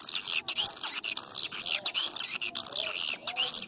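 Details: High, buzzy swiftlet chirping in short pulsed bursts, roughly three per second, from a track meant to lure swiftlets into nesting houses.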